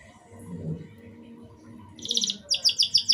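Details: Short canary song used to coax young birds into singing: after about two seconds of faint background, a bright buzzy trill begins, followed by a series of loud, evenly spaced pulsed notes.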